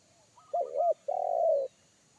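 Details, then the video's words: Forest spotted dove with a big bass 'kuk satu' voice, which a trained lure dove avoided; soft stuttered notes lead into a low wobbling double coo and a long, even, booming coo. "SUARA TEKUKUR INI‼️SUARA BESAR NGEBASS"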